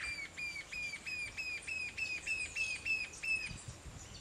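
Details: Green-tailed jacamar in Paramaribo, Suriname: a run of about twelve thin, high, evenly spaced notes, each with a sharp ringing overtone, repeated roughly three times a second for three and a half seconds, then fading.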